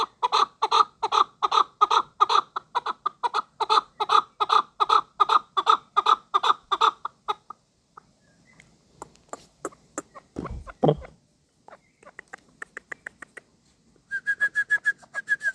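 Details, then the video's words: Hunting chukar partridge delivering a long, even series of chuk notes for about seven seconds, followed by a quieter stretch with scattered clicks, a brief thump, and a whistled tone near the end. "Кабки шикори"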